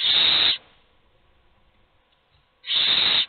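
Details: Hungry owl chicks begging for food, only one being fed; two loud, raspy hiss bursts about two seconds apart with a soft, quiet gap between.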